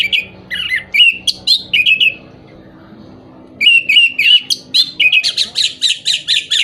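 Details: Orange-headed thrush song, used to rouse birds in moult or lacking breeding drive: rich, varied whistled and warbled phrases in fast succession, a silent gap of about a second and a half, then a lively, rapid, tumbling stream of notes.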